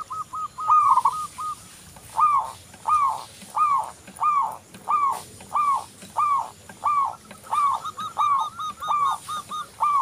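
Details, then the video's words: Local zebra dove (perkutut lokal) in lively song, played as a lure: short cooing bursts of fast clipped notes repeat steadily, about every 0.7 seconds, with faint high chips near the end. "Perkutut lokal Gacor"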